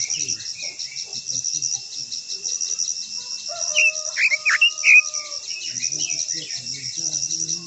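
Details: Quế lâm, a Japanese white-eye, giving a brief burst of sharp, dipping twittered notes near the middle, framed by a continuous shrill insect chorus, in a long-voiced song meant to provoke rivals.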